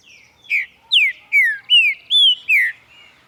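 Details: In the morning a green-winged saltator sings a phrase of six loud, sweet whistles, most sliding downward and one rising, evenly spaced and followed by a soft trailing whistle. No other sounds are heard.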